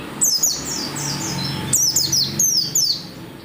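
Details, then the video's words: Oriental white-eye singing energetically and persistently, used to prompt other white-eyes to sing: thin, high whistled notes sliding sharply downward in quick bursts, a short pause, then a second run of descending slurs. "SUARA PELECI GACOR NGOTOT BIKIN PELECI LAIN RAJIN BUNYI BUKA PARUH"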